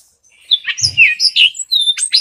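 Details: Hispaniolan oriole, a 22 cm bird of Hispaniola island shared by the Dominican Republic and Haiti, singing a fast jumble of whistled and chattering notes, sweeping and warbled, with a brief low thump near the start.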